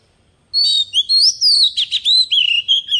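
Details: A phrase of wild-style song from a decoy Oriental magpie-robin begins after a brief silence. Loud, fluid whistles and quick slurs follow one another for about two and a half seconds.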